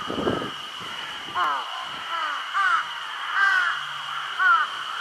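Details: A large-billed crow, which carried food off to a spot where nothing would disturb it, gives four harsh, nasal caws about once a second over a steady high whine and a brief rustle; Shiki no Mori park, 6 June 2022.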